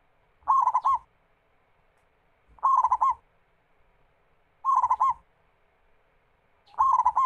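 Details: Zebra dove, local Indonesian type, whose song serves to coax other doves into singing; four evenly spaced phrases of rapid rolling coos, one about every two seconds, each ending on a separate clear note.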